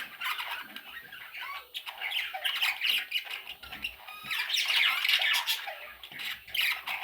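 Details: Baby parrots squawking indoors, quick rasping calls in irregular bursts, swelling louder midway as more chicks join in.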